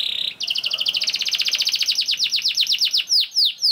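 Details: Young domestic canary singing a lure song meant to get other canaries singing: a brief buzzy trill, then a rapid chain of bright chirps that slows into loud, repeated downward-swept whistles.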